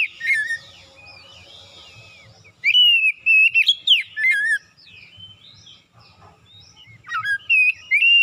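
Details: Oriental magpie-robin in morning song, a lure track for magpie-robins that seldom sing: strong whistled phrases, rising and dropping slurs, delivered in spaced bursts with quieter chatter and low background hum between.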